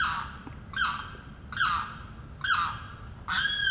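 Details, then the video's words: A Limpkin on Blackwater Lake, Eustis, Florida, calling for its mate in breeding season, gives loud, harsh, wailing screams, each slurring slightly downward, repeated roughly once a second over soft hiss. "The Limpkin calling"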